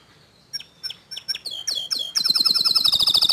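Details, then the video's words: Canary, young birds answering a prolific singer: spaced sharp chips and short whistled slurs speed up into a loud, fast, even trill of high buzzy notes that runs to the end. "Kenari Paud Kenari Bahan Langsung Respon Setelah Dengar Kicauan Kenari Gacor Dor Ini"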